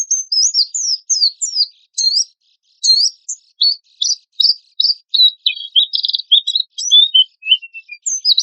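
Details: Oriental white-eye lure song in rough 'tembakan kasar' style, made for tutoring caged birds: varied high whistled slurs and chirps in quick phrases, a short pause, then scratchy buzzy notes and descending whistles.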